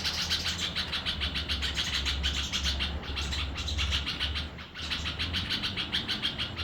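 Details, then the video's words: A Red-vented Bulbul chick gives rapid, high, scratchy chirps, about three or four a second, over a steady low engine-like hum. "Bulbul Bird Chick"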